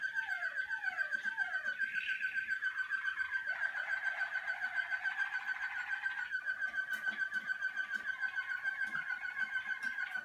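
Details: Malinois Waterslager canary warming up during early singing-cabin sessions: a long, even rolled trill on one pitch lasting over ten seconds, with a few descending slurred notes at the start and brief shifts in tone colour.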